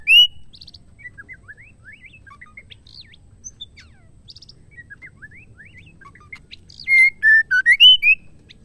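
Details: Female white-rumped shama, a caged bird, singing to stir males into song: a busy run of quiet chirps and short twitters, then a loud series of pure whistled notes near the end.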